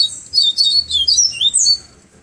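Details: Bahia seedeater singing in the afternoon at Pero Vaz, Salvador, in the flautado tonzé song style: a fast run of high, sweet chirps and slurred whistles, several notes sweeping up and down in quick succession.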